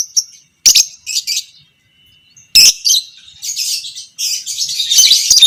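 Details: Lovebird, a fighter-type bird of the pastel creamino (biola pb creamino) variety, used as a master recording to train other lovebirds to chatter long; high shrill chattering bursts in several separate phrases with short silent gaps.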